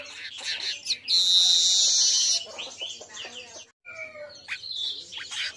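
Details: Midday singing of an Asian golden weaver, meant for training other birds: a harsh, hissing buzz lasting over a second amid a busy mix of twittering chirps and short whistled notes.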